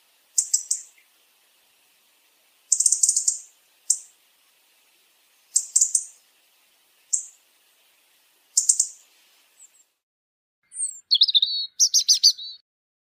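A European robin gives short, very high, scratchy chirps about every one to two seconds, then ends with a brief thin, warbling song phrase. No other sounds are heard.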